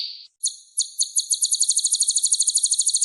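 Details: Kolibri ninja with a rich, full song repertoire, meant as a vocal tutor for other songbirds: a high thin note, then a fast, even, buzzy trill of repeated high chips, about three per second rising to a rapid stream.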